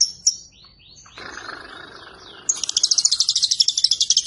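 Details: Lovebird breaking into ngekek: after a soft hiss and a few scattered chirps, a fast burst of high, harsh, rattling notes runs on at a rapid pace to the end.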